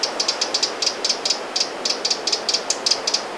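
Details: A Eurasian wren scolds at Lake Vänern, Sweden, late July 2017, with crisp high tick notes, often doubled, spaced irregularly at about four per second.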